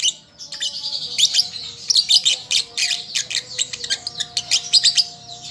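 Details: A young lovebird still learning its song chatters almost without pause, shrill twittering notes tumbling over each other at high pitch for the whole stretch.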